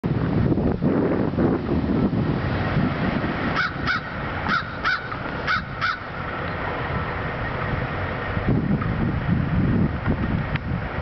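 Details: Crow calling in downtown Fargo on 28 March 2012: three pairs of short, harsh caws within a few seconds, standing out over a heavy low rumble of city traffic and wind buffeting.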